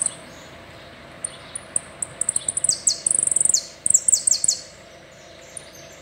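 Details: Saffron finch, complete song in the "el rollo" style: scattered high chips speed up into a quick rattling series with several descending buzzy sweeps, then trail off into isolated notes and quiet.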